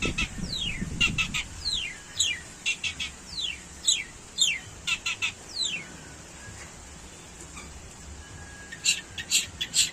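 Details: Long-tailed shrike imitating a canary: quick series of high downward-sweeping slurred notes and sharp chirps in bursts, pausing midway, against low background rumble.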